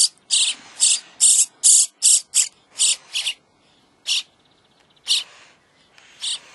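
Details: Common starling nestlings begging at feeding time, a rapid run of harsh rasping bursts about three per second that slows to spaced single rasps.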